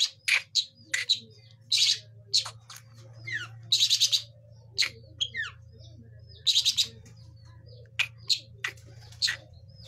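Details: Young long-tailed shrike learning to sing: irregular clusters of sharp chirps and short rasping bursts, with thin whistled notes between them, over a steady low hum.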